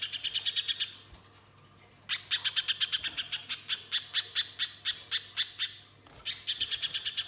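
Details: {'caption': 'Active spiderhunter used as a lure: a brief chip series, a pause, then a long run of fast, bright, high notes before another short break and a fresh burst.'}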